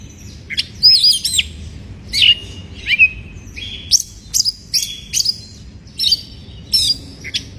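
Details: White-rumped shama in breeding condition singing to provoke rival birds: varied whistled phrases, slurred notes and short rattles in quick succession, separated by brief pauses, over a faint low hum.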